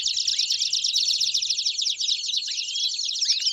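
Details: Belgian canaries singing a rapid, continuous rattling trill with occasional rising upward-swept whistles cutting through.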